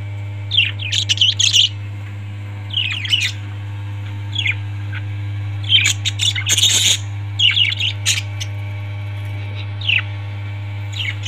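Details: Parrots calling in harsh, chirpy bursts that come in clusters every second or two, some squawky and rising. A steady low hum runs underneath throughout.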